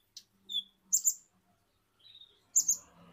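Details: Kolibri ninja, an Indonesian sunbird, giving scattered piercing chirps and short whistles in pairs, with a faint low hum in the background.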